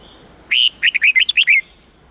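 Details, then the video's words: Red-whiskered bulbul in the '8-9-10' forest-standard song style, used for training young birds: one bright phrase opening with a longer whistled note, followed by six quick rising-and-falling warbles. "Luyện Chào Mào Hót Giọng 8-9-10 Ép Chim Non Học Giọng Chuẩn Rừng"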